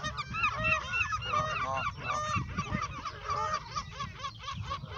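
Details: A flock of Canada geese at Westbroekpark, Scheveningen, The Hague, Netherlands, among waterfowl, honks constantly: loud nasal calls overlapping more than once a second over a low background rumble.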